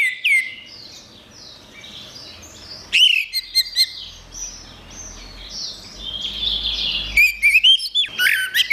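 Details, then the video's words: Song of an orange-headed thrush, recorded for training songbirds: a short whistled phrase opens, then sharp, rapid note bursts, a lull of soft high chirping, and a loud cluster of varied whistles at the end. "Ocehan Suara Burung Anis Merah"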